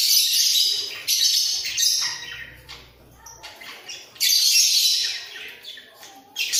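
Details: Caged breeding pair of budgerigars singing with head-bobbing: loud bursts of rasping, high chatter, then a quieter stretch of soft twittering before the warbling returns strongly.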